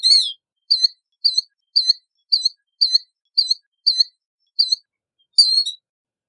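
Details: Killdeer opening with a falling slurred note. It follows with a steady series of short, clipped calls, roughly two per second, about ten in all, and finishes with a double note. The recording is clear and quiet.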